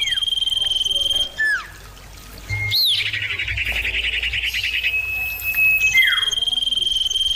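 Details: Common iora song, birds calling back and forth loudly: long level whistles broken by falling slurs, a sweeping upward note into a rapid buzzy trill, then another descending slur.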